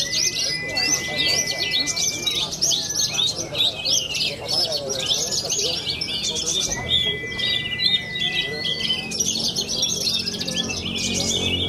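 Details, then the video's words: A young Horsfield's bushlark, a songbird-contest performer from central Cilacap, Java, sings a long, busy stream of high twittering and buzzy notes, with drawn-out steady whistles and lower background chatter. "BRANJANGAN MUDA MENTAL JUARA"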